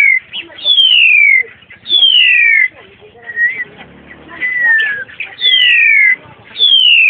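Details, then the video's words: Black-collared starling kept in a cage, heard while hiking on 14 March 2010: long, pure whistled notes gliding from high to lower pitch, repeated in runs with short pauses, some shorter level whistles and faint low murmurs between. "黑領椋鳥(Black-collared Starling)"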